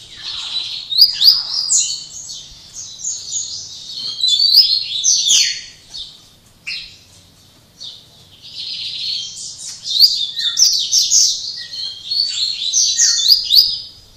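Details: Double-collared seedeater kept in captivity at Jaboticabal, São Paulo, Brazil, singing the Máquina-style song late in the afternoon after a full day of singing; rapid, high, buzzy twittering phrases in two long bursts separated by a brief pause.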